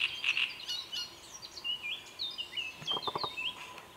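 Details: Great reed warbler song: harsh repeated notes opening, then scratchy, squeaky varied phrases and a short run of low clicking notes near the end.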